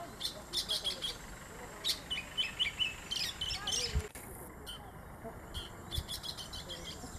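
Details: Oriental magpie-robin singing: clear whistled phrases and sharp high chirps in short bursts with brief pauses, over steady low background hiss, a faint thud midway.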